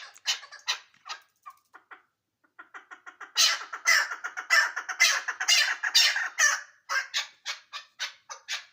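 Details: Chukar partridge of Ishkoshim starting with soft, scattered clucks, then building into a dense, loud burst of overlapping rasping chucks before settling back into spaced harsh notes.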